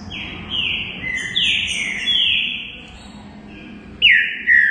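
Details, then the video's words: Green-winged saltator song of clear, drawn-out whistles sliding downward, several linked notes, then a quieter gap before two bright falling phrases near the end; faint background hiss. "TRINCA FERRO BARUC CANTANDO MUITO"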